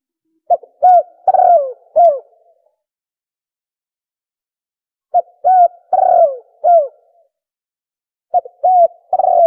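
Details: Spotted dove cooing used as a hunting lure: three groups of low, rounded coos, each group a few short notes and a drawn-out descending coo, separated by long quiet gaps.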